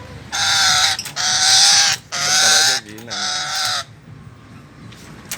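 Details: Chattering lory, also called red-headed lory, giving three long, harsh, buzzing screeches in a row, then a fourth, shorter and quieter. The calls are followed by near silence.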